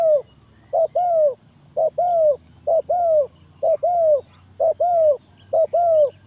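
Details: Spotted dove lure call for trapping: six pairs of mellow coos, each a quick note followed by a longer, gently falling note, repeated steadily, with a faint low hum underneath.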